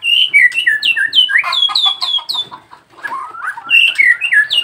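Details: Caged Nias hill myna in training, calling loudly with a rapid string of clear whistled notes that bounce up and down in pitch, briefly dipping lower and quieter midway before resuming the high, ringing phrases.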